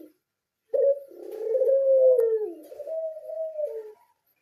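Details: Pied-variety Barbary dove, captive, gives one sharp note that runs into a long rolling coo. The coo wavers, dips, and then levels into a softer steady tone before stopping.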